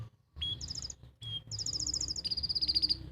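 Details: Canary in Pati, Central Java, singing a tutor song for young canaries: short whistled notes, then bursts of bubbly high trills, ending in a fast, even chattering roll.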